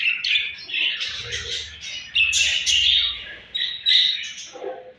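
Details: Morning feeding time among budgerigars: a busy flock chatter of quick chirps and harsh squawky notes in loud overlapping bursts, with a low rumble underneath.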